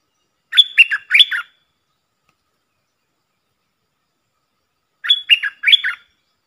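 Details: Decoy recording of a puff-throated bulbul for hand-raised young birds: two loud phrases, each made of three rasping, squeaky notes that rise and fall, heard about four and a half seconds apart.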